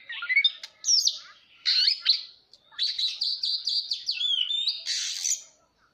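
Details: Oriental magpie-robin, a kept songbird, singing with its tail fanned: a rich, varied phrase of clear whistles, slurred notes and rapid chattering trills, delivered in bursts over about five seconds.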